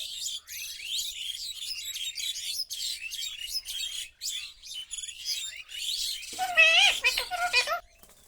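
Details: Pet Alexandrine parakeet chirps in rapid, high, scratchy bursts, then gives a louder run of harsh, wavering squawks near the end.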